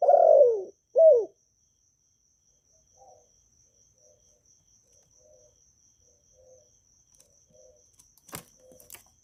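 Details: Spotted dove from Vietnam, calling and urging to make new doves sing: two low falling coo notes open, followed by a long quiet stretch with faint distant cooing and two sharp clicks near the end.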